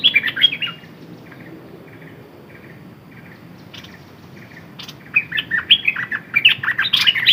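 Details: Red-whiskered bulbul, a decoy bird, opens with a short warbled burst, goes quiet apart from faint soft notes and clicks, then breaks into an energetic run of jumbled bright whistles.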